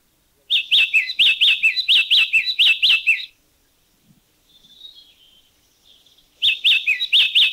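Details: Yellow-cheeked Tit recorded in a Thai national park (Khao Yai, Doi Inthanon, Doi Suthep-Pui or Chae Son), giving rapid runs of sharp, high chipping notes in two bursts, separated by a pause with a faint thin whistle.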